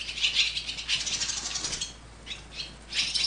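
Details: Nestling swallows being raised by parents, begging: loud bursts of high, rasping chatter, a pause near two seconds, then shorter bursts and a final loud outburst.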